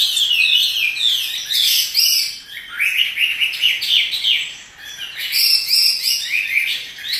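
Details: Chinese hwamei kept as a pet, singing hard and dancing, with loud, rich whistled and warbled phrases in bursts separated by short dips.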